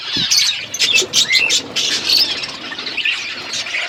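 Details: Parrot feeding on February 25, 2024, outdoors: sharp, squawky high chirps in quick irregular bursts, roughly one a second, with several overlapping voices. A faint thump sounds at the start.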